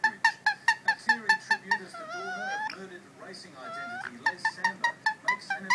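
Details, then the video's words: A pet female rose-ringed (ringneck) parakeet mimics the Queen of the Night opera aria: crisp, bouncing staccato notes about three per second, then a wavering, vibrato-laden phrase that rises before the staccato returns. "Opera Singing Parrot sings queen of the night!"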